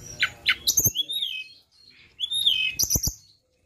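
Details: Flowerpecker lure song: high thin trills and a long gliding whistle in two phrases, punctuated by sharp clicks, with a short pause between.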